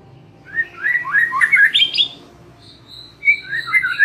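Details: White-rumped shama, song meant to lure young wild birds into singing: a rising series of rich whistled notes climbing higher, a pause, then a few bright whistles and a thin high tone.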